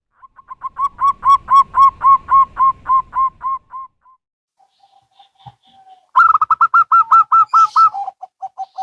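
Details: Local and Bangkok zebra doves answering each other: a steady run of about a dozen quick, even cooing notes, then after a pause a second bird's higher, faster burst of coos dropping to lower drawn-out notes.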